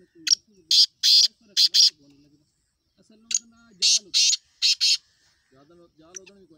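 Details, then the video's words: Kala teetar, the black francolin, repeating harsh scratchy calls in two bursts of four to five notes, with low humming voice-like sounds in the pauses and near the end. "Black Laka Partridge Of the voice/Kala Teetar Lakha ki Awaaz/Kala Teetar ki Awaaz /کالے تیتر کی آواز"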